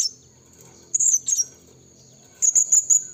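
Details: Blue-crowned hanging parrot lure sound for calling wild rivals in the forest. Pairs of thin, very high chirps, followed by a rapid string of four sharp notes near the end, over a steady high background hiss.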